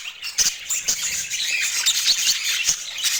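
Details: High, rapid budgerigar twitter with piercing chirps and squeaky whistles packed closely together, a constant scratchy warble sustained throughout.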